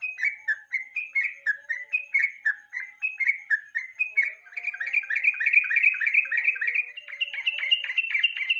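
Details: A yellow-vented bulbul's evening lure song, meant as tutoring material for national songbird competitions: steady whistled notes that grow denser and louder after about four seconds into a continuous, excited chattering flow.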